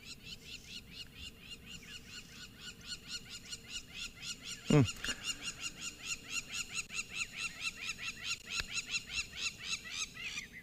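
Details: Crowned lapwings on a morning in May in an open clearing, likely with a nest nearby, shriek harsh, rapid repeated notes in a continuous agitated chorus, upset by lions lying there; a brief loud knock and faint voices are also heard.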